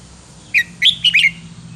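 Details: Red-whiskered bulbul in counting-line wild song, sweet phrasing: five crisp whistled notes spaced over about a second, the last two joined in a quick falling slur, against a steady low hum.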